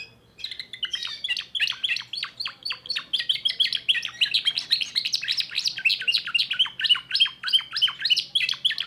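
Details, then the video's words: After a moment of quiet, a young timbrado canary launches into a long unbroken run of rapid chirps and rolled trills, dense, bright and evenly paced throughout; faint low hum. "le meilleur chant de canari I chant canari timbrado un jeune de2024"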